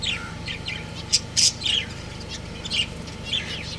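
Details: Budgerigar breeding pair kept as pets, giving short, bright chirps and sharper squeaky notes in scattered bursts over about four seconds, with a steady low mechanical hum underneath.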